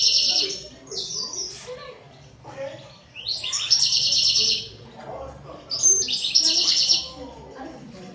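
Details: Song of a European goldfinch: repeated phrases of quick, tinkling twitters and buzzy trills, loud and high, with quieter gaps between three main bursts.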